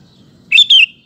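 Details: Sooty-headed bulbul, a lively singing bird used as a lure to make other males sing, giving one quick two-part bright chirped phrase, a rising note then a falling slurred note, with a faint low hum beneath.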